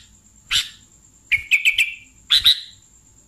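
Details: Bulbul lure call, sooty-headed bulbul: a harsh chirp, then a quick run of four clipped slurred notes, then a paired raspy note, with a constant thin high whine.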